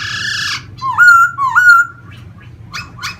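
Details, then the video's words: Vietnamese cage-kept laughingthrush, a singer that dances with spread feathers; a harsh opening note, two strong upslurred whistles, then two short raspy chirps. "em khướu hót múa xòe như máy bay"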